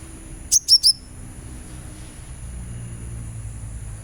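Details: Sunbird, used as a therapy recording to encourage a caged bird to sing, giving three rapid sharp high-pitched chirps in under half a second, then quiet with only a low background hum.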